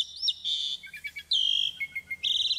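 Asian Pied Starling singing a quick, varied phrase of clear high whistles, slurred rising and falling notes and a brief buzzy rattle, with nothing else heard.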